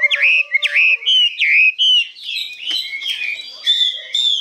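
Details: Newly arrived caged hwamei, about 85 percent tame: bold upswept whistles repeated several times, then softer, faster warbled notes and a last ringing whistle.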